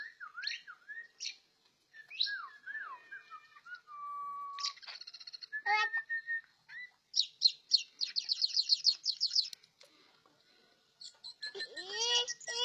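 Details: Orange-headed thrush in 'teler' singing: varied whistled phrases, some rising and some falling, alternate with rapid trills and buzzy rattling bursts. Sliding whistles and a pause mark the middle, and there is no clear background sound.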